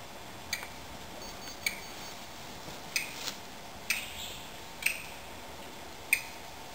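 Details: Black-backed Woodpecker at Paul Smith's VIC, Adirondack Park, 2 June 2007, giving sharp, high single 'pik' notes, about eight in under seven seconds at an uneven pace, over a quiet background hiss.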